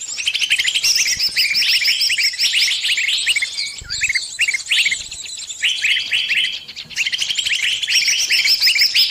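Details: Caught bird calling its companions for help: dense, rapid high chirps and short twittering notes, overlapping and almost continuous, with brief pauses around four and seven seconds.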